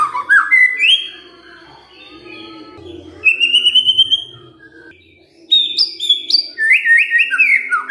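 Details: White-rumped shama kretekan in fighter style, to draw a response from quiet shamas: falling whistled phrases, a gap with soft background hum, a bright level whistle, another pause, then high stepped notes and chattering descending figures.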